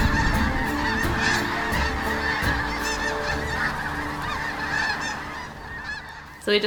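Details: Sandhill cranes on spring migration gathering at sunset over the Platte River in Kearney, Nebraska, thousands calling to each other; overlapping trilling, rattled bugling fills the air, fading slightly near the end before a brief sharp noise.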